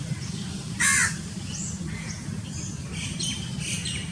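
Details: Single loud, grating caw from a house crow, or grey-necked crow, in Pakistan, followed by thin high chirps of small birds and a constant low rumble underneath.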